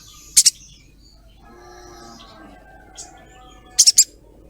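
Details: Female ruby-throated myzornis calling to a male, giving sharp high double chirps, 'cret cret', twice, separated by a few seconds of quiet with faint soft background tones.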